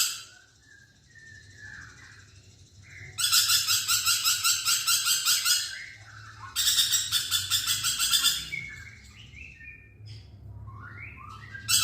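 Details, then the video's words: Lorikeet in vigorous voice, recorded for training songbirds: quiet slurred whistles, two loud bursts of gritty, rapidly pulsed screeching of about three and two seconds, then falling and rising squeaky notes. "BURUNG NURI PERKICI GACOR"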